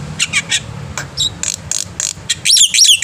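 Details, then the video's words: Black-winged myna singing energetically in the morning, used as a tutor recording for young birds: a rapid series of harsh, scratchy bursts mixed with short whistled notes, ending in loud, rapidly modulated squawky phrases over a low background hum. "jalak putih gacor pagi hari"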